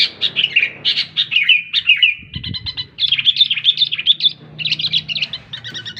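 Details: Sooty-headed bulbul singing busy bursts of bubbly, warbled whistled notes, quick slurred phrases with short pauses, steady throughout over a faint low hum.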